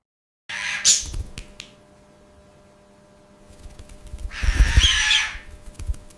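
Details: A budgerigar gives two harsh, scratchy squawks about three and a half seconds apart, each about a second long, over low thumping noise indoors; the call is described as a warning not to invade its space, after an unwanted hand in the cage or disturbed sleep.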